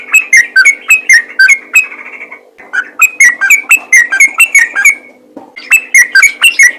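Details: A lively yellow-vented bulbul calls to draw replies from other bulbuls: bursts of rapid, gurgling, whistled notes, a brief pause near the middle, then more rounds of bright repeated phrases, with a faint steady hum beneath.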